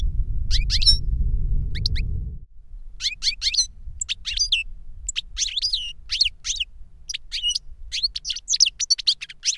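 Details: Caged European goldfinch, a master singer that taught a novice goldfinch its reclamo song from a CD. Rapid twittering, tinkling notes in quick bursts after a low rumble fades in the first two seconds.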